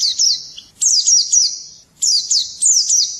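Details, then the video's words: Swinhoe's white-eye heard in the morning, singing short bursts of very high, rapid twittering slurs, each burst under a second long, separated by brief gaps, about four phrases in all. "Nghe chim khuyên hót hay mỗi sáng"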